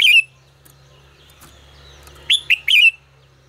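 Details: Red-whiskered bulbul, 'ché căng lửa' style song for voice training: one crisp whistled note opens, then after a quiet gap a fast run of three loud, slurred chirping whistles.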